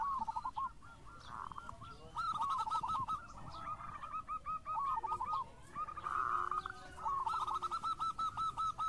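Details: Local zebra dove singing actively, a lure recording: rapid bursts of soft, rolling coo notes near one pitch, repeated in runs with brief pauses, partly overlapping, over low background hiss.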